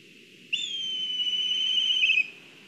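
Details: Black kite on a nest-camera live stream in Kurzeme, Latvia, with food being delivered to the nest: a long, piercing, level whistle lasting well over a second, finishing in a short rippling trill before stopping abruptly.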